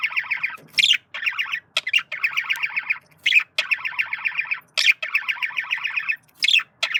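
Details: Flirting male budgie chatters in long runs of rapid, rasping warbled notes, punctuated every second or so by a higher squeaky chirp and short silences.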